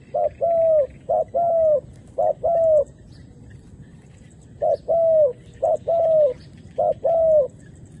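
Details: Wild doves, female and male, are called down to the ground by a decoy dove. Two bursts of coos, each a series of short-long pairs, separated by a pause of about two seconds. Faint chirps in the background.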